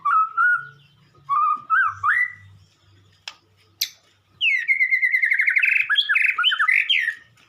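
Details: White-rumped shama during morning sunning: clear slurred whistles rising in pitch, sharp clicks, then a fast rolling run of repeated notes, with a faint low hum early on.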